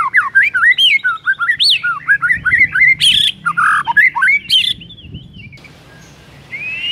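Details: White-rumped shama singing in the morning, a rich sequence of looping whistled notes and harsh squawky bursts, fading to quiet at the end.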